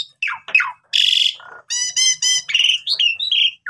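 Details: Asian pied starling song used as a lure to train young starlings: a busy medley of downslurred whistles, a harsh buzzy burst, low nasal notes, a stacked harmonic squawk series, then sliding whistled phrases.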